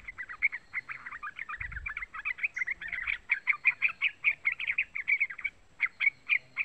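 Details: Young yellow-vented bulbul calling, used as a lure to provoke other bulbuls into singing: a fast run of short chattering notes, steady and repeated at about two per second, with a low thump partway through.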